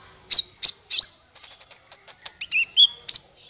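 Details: Singing male kolibri ninja (konin), offered as a tutor song for songbirds: three sharp high notes, then soft ticking and a jumble of squeaky, slurred whistles.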